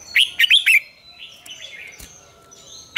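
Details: A red-whiskered bulbul gives its morning training song in a double-note, mature wild style. Four loud, clipped whistled notes open the phrase, then quieter high twitters follow and a final sharp note ends it.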